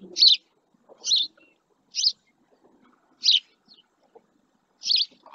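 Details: A male house sparrow perched near a camera at the Doñana marsh in El Rocío, Spain, gives five sharp chirps at roughly one-second intervals, with faint low background sounds.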